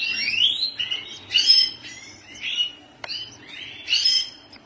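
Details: Goldfinch song with long, buzzy rising and falling phrases and sharp twitters, repeated roughly every second, over a quiet low murmur.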